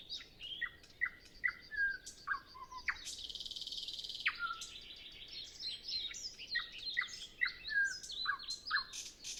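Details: Nightingale singing early morning before sunrise in still air: a series of descending slurred whistles, a sustained harsh buzzy trill, then rapid varied chirping figures; Zoom F6 and Sennheiser MKH 8040 recording.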